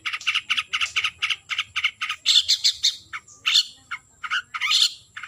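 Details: Harsh, scratchy squawks from a long-tailed shrike calling a rival, delivered in a steady rapid series, then grating, uneven notes with short pauses.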